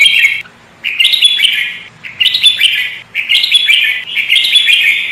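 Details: Sooty-headed bulbul in full, lively song, kept as a trapping bird: repeated short bursts of bright chirping warbles, five phrases about a second each separated by brief gaps.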